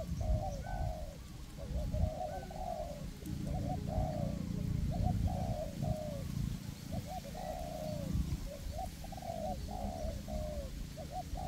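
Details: Two decoy spotted doves, one perched and one on the ground, calling together in a forest to lure wild doves for trapping; soft mid-pitched cooing phrases repeat steadily over a deep rumbling background.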